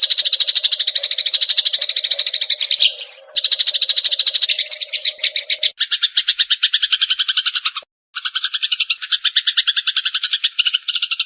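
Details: Fighting Eurasian tree sparrows chatter fast and harshly, a dense stream of high buzzy notes, with a faint low hum under the first half.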